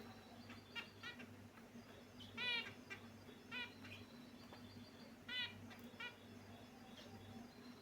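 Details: Finches kept in a cage calling: brief stacked nasal chirps, sometimes doubled, repeated at uneven intervals against a constant low background hum.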